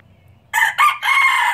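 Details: Pure Laos red junglefowl, a newly acquired breeder bird, recorded in 2016: a short, abrupt crow in three bursts, with two quick clipped notes followed by a longer, level harsh phrase that cuts off sharply, over a quiet low hum.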